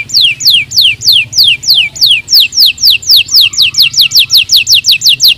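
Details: Canary singing a rapid stimulating song for lazy birds: strong repeated downward-sliding whistles, evenly spaced and accelerating slightly toward the end, with a faint low hum underneath.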